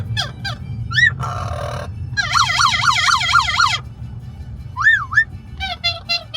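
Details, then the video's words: Amazon parrot in a moving car on a road trip to a brewery, loud and varied: rising whistles, a buzzy harsh stretch, then rapidly wavering siren-like whoops repeated about four times a second, then more rising whistles, over low engine rumble. "Parrot noisy road trip to the brewery!"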